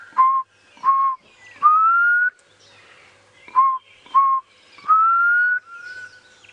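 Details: Black cuckoo calling unseen from close overhead at sunrise on 4 November in a northeastern South African game reserve gives its mournful whistled phrase twice, likened to "I'm so sad": two short level notes, then a long drawn-out rising note.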